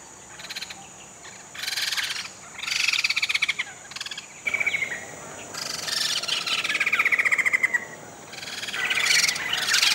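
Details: Caged Sumatran laughingthrushes, two pairs rescued from illegal trapping and awaiting release on Sumatra. Several bursts of rapid, rasping chatter separated by short pauses, some notes sliding downward. A constant high-pitched whine continues throughout.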